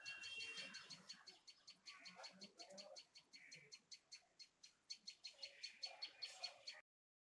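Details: A tailorbird gives quick runs of short, high, piercing call notes, steadily repeated for about seven seconds, with faint low background chatter.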